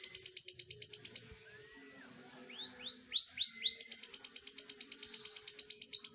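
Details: Short high trill from an Indonesian canary finch, a quiet gap, then several loud swooping upslurs that launch into a long, rapid, metronomic trill of sharp high chirps lasting about two and a half seconds.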